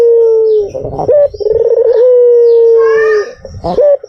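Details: White Barbary dove giving a lure call, a long, smooth, low coo after a fluttering onset, framed by short rising notes and a faint overlapping voice-like sound.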